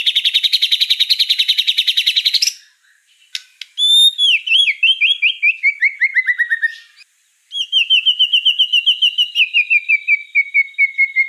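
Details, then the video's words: Actively singing white-rumped shama, described as gacor: a fast, even trill of high notes for over two seconds, a brief gap, a cascade of falling whistles, then a long run of rapid repeated notes slowly dropping in pitch. "Suara kicau burung murai batu gacor"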